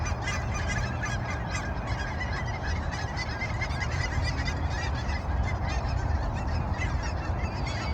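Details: A flock of Canada geese honks continuously at sunrise, many overlapping nasal calls over a steady low rumble of background noise.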